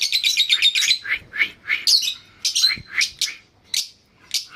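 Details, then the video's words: Lovebird calls: a quick stuttering run of high chirps, then single sharp squeaky notes spaced about half a second apart. "love birds"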